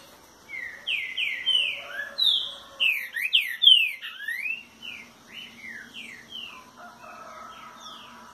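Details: Green-winged saltator in the curricutil boi (trinca boiadeiro) song style at 6:30 on a Thursday morning. A rapid run of clear, slurred whistles sweeping down and up, loudest in the middle, then softer trailing notes over a faint hum.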